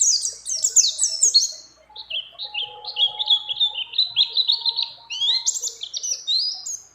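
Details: A female mountain white-eye in breeding condition calls a male among borrowed phrases of other birds. High sliding chirps start fast, then settle into a chain of lower, evenly spaced twittering notes, with a faint tone underneath.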